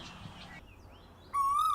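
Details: In spring, an Asian koel, a local bird of Bangladesh, gives a single loud, clear note that swells and rises slightly and is cut off at the end, after a moment of faint background hiss.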